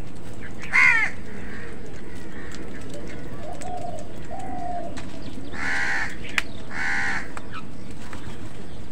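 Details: Crows fighting other birds for food outdoors: a harsh, raspy caw near the start, then two more hoarse caws close together later, with softer low hooting notes between and faint chirps over a constant background hum.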